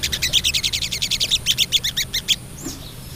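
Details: Female crested jay calling the male: an even rattle of about fifteen quick, bright ticks in two seconds, then stopping, with a single soft slurred note after.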